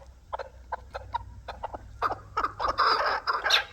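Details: Hybrid and local chukar partridges calling: short clucking notes at first, spaced irregularly, then building into denser, louder overlapping cackles toward the end.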